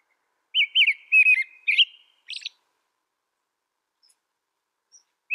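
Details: Song of an American robin: a quick burst of four or five clear whistled phrases, then a higher scratchy note, followed by near silence and the start of another phrase at the end.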